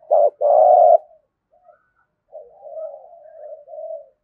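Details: Spotted dove in Đồng Nai, Vietnam, in competition cooing (thúc gù) with a thổ-style voice: two short low coos, then after a pause a softer, drawn-out wavering coo.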